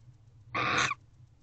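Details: One drawn-out, harsh hissing screech of nearly half a second from a barn owl in its nest box at 5:13 am, 8 November 2023, as something outside holds its attention; steady low hum underneath.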